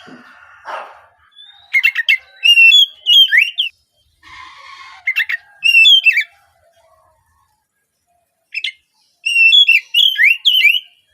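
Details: Oriental magpie-robin singing, used to coax untrained speckled juvenile magpie-robins into early morning song. Bursts of rich whistled, slurred phrases with buzzy trills come in three groups separated by short pauses, with faint background noise.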